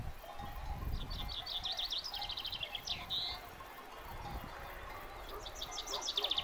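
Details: Common chaffinch singing in a meadow at Fuente Dé, Picos de Europa: a bright, descending rattle of notes ending in a quick flourish, repeated twice, over a low rumble of wind.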